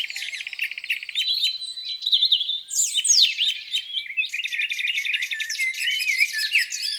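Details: Birds at a lake on a spring morning: a rapid trill, then sweeping descending notes and continuous overlapping chirping song.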